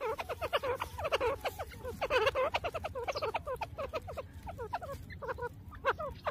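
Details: Grey francolin searching for food in jungle: a steady stream of soft, short, clucking notes in quick irregular succession, with a low background rumble and hiss.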